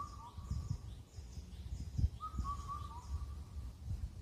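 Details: Indian cuckoo in the mountains of Incheon, Korea, whistling four clear notes with the final one dropping, after the tail of an earlier phrase. Faint high chirping from other birds over low background noise.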